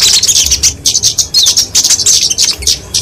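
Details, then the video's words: Flowerpecker, called kemade, genus Dicaeum, singing its fighting song, used to lure and train songbirds: shrill, high, rapid chips with a few thin slurred notes, delivered in quick bursts. "Kicauan Kemade Tarung Untuk Masteran&Pikatan Burung Kecil"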